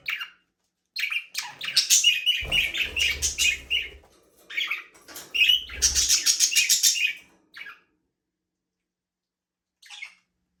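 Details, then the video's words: Budgerigars in a small aviary, flying free and playing, give bursts of rapid high chirps and chattering warbles, two dense runs of calls separated by short gaps, with brief wing flapping and low thumps, ending in a lone faint chirp. "Budgies parrot #chirping sound"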